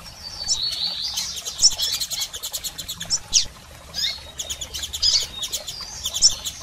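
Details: Calls of male and female double-collared seedeaters for stimulating a male: continuous fast high ticking overlaid with repeated thin, sharp chirps and short rising squeaks every second or so.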